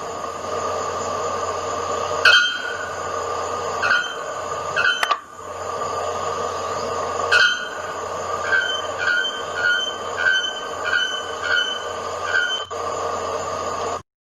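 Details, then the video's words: A bare-throated bellbird (araponga), called the voice of Brazil's Atlantic Forest, gives loud, ringing metallic notes like a hammer striking an anvil. "Entre as aves está a araponga, conhecida como a voz da Mata Atlântica. Escutem um pouco."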